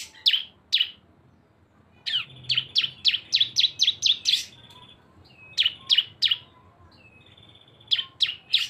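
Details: Lure recording of two cisem birds singing together: two sharp chirps, a pause, then a rapid run of about nine downslurred notes, and later short bursts of three chirps with thin, high whistles between them.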